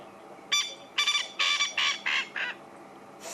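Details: Especially vocal male Coqui francolin in the evening light: six coarse, buzzy notes about a third of a second apart, then a fainter rough note after a pause.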